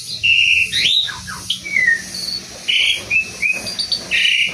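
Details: Asian pied starling singing: a varied string of clear whistled notes, some long and steady, some sliding down, with a few short buzzy bursts, over constant background hiss and low hum.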